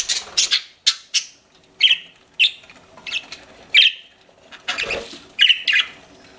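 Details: Pet budgerigars giving separate short chirps and squawky notes a second or so apart, with one soft thud midway.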